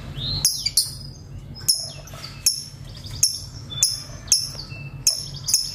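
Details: Lovebird giving sharp, shrill, very high chirps in a rapid irregular series of about ten notes, some ending in short falling tails, with brief quieter gaps between bursts.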